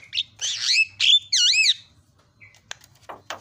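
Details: Javan myna master song, played as a lure to get a silent myna singing again: harsh buzzy bursts, then looping rising-and-falling whistles, followed by a few sharp clicks and thin high notes.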